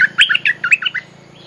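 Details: Bulbul used to lure wild birds: a single fast, liquid phrase of warbling notes that rise and fall, lasting about one second, over a steady low hum.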